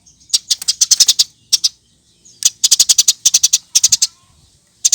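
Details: Eurasian tree sparrow chirping vigorously, captured as a training recording for other birds: three dense bursts of bright, high, slightly buzzy chirps, each about a second long, with quiet gaps between and a single chirp at the end.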